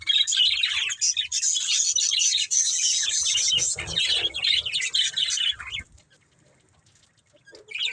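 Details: Budgerigar breeding pair chattering in a dense, continuous warble of high chirps and squeaks for about six seconds, then a near-silent pause before the chirping resumes.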